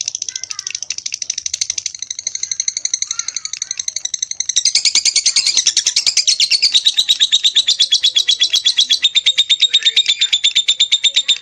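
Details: Lovebird in Palembang, Indonesia, with a long, loud buzzy chatter: harsh pulsed notes at first, then a denser rattling trill that carries on steadily for several seconds.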